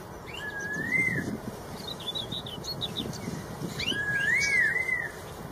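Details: A straw-headed bulbul sings in the wild. Its rich, slurred whistles rise and fall in two bold phrases. Scattered thin, high twitters from other birds and a low rumbling background fill the gaps.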